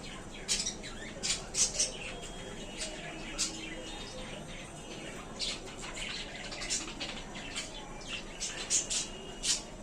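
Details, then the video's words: Happy budgies settling into a small new cage chatter steadily with many short, sharp, high chirps and squeaks scattered through the whole stretch, against faint low room noise. "Budgies birds are very happy in their new home"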